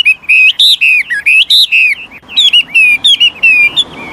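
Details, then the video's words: Chinese hwamei, an old wild bird, sings shifting phrases to encourage young birds: a pure, ringing whistled series of repeated bending notes, a brief pause, then a similar run of slightly softer notes. "Tiếng chim họa mi mồi già rừng hót luyến láy đảo giọng liên tục, giúp kích chim bổi nhanh hót"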